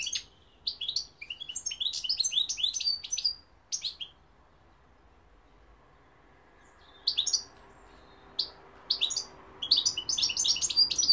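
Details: Goldfinch song of rapid, tinkling twitters and buzzy high notes delivered in a long run for nearly four seconds, a pause, then scattered chirps building into another fast, dense burst of trilled notes toward the close.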